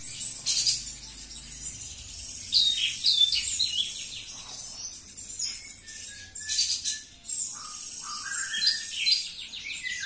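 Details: Javan bush lark singing indoors: a dense, continuous high jumble of trills, buzzy notes and rapid chirps, with a few lower whistled slurs near the end.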